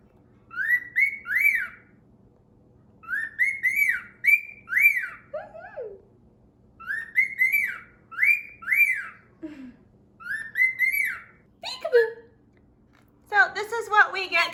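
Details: Laura, a male grey cockatiel with special needs and slow growth, chatters in bright, warbling whistled phrases every morning, repeating the same rising-and-falling motif every few seconds; he talks all the time.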